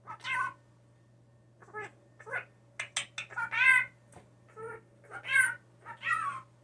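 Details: Captive hand-reared blue jay that copies phrases like "watch out" and "come here" mixes harsh, overtone-laden calls with short sharp clicks in an irregular string, low hum underneath.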